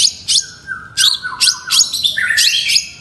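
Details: Long-tailed shrike in full song: loud, varied burst of high buzzy notes over a sustained lower whistled tone, fast and busy.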